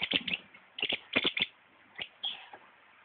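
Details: Green-headed tanager singing: short, sharp, chirpy notes in tight clusters of two to four, repeated roughly once a second with brief quiet gaps between bursts.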